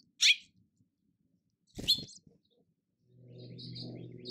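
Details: At a nest in a hanging basket, eight days after the first egg hatched, a male House Finch hears a human voice from inside the house and sounds an alarm to the chicks: two sharp, high chirps about 1.5 s apart, then a low rumble and faint thin peeps.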